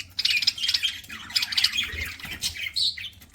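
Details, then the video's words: Pet budgerigars chirping as they eat indoors: continuous busy warbling of scratchy, squawky high chirps and short whistled notes, with a brief pause near two seconds and a rising note toward the end. "PARAKEET EATING SOUNDS"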